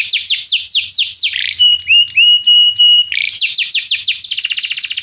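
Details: Canary tutor song for training a young canary: looping downslurred whistles, a run of level pure tones with sharp chips, then fast sweeping notes ending in a dense trill.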